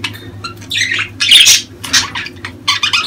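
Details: Budgerigars in mating season burst out in harsh squawks and scratchy chirps, one loud rasping outburst near the middle, over a low humming background.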